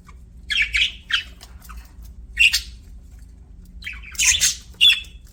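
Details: A budgerigar's happy chirping: scattered squeaky chirps and scratchy warbled notes separated by quiet pauses, ending in a louder burst of harsh chatter and a sharp chirp.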